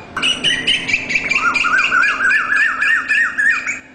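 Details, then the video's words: An Asian koel recorded in 2021 gives a fast series of harsh, squawky notes, about three a second, each with a quick rising inflection, loud and close. "เสียงนกกาเหว่า (ดุเหว่า) Asian koel"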